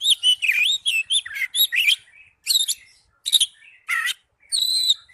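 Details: Oriental magpie-robin (kacer) singing loud, clear ngipas plong song: fast bursts of sweet whistles and rasping trills, then separate rising and falling whistled phrases spaced by short pauses, with a quiet background.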